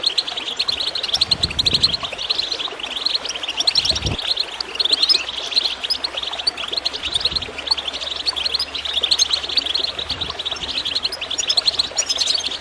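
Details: Goldfinch chirping above gurgling water to encourage birds to sing: a constant stream of high, quick twitters, with a low splash near four seconds and a faint low hum later.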